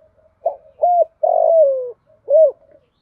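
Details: Female spotted dove lure-calling for wild males, 'giọng thổ pha' style with one trailing note: brief lead-in, arched coo, long vibrating falling note, final rounded coo, in a quiet setting.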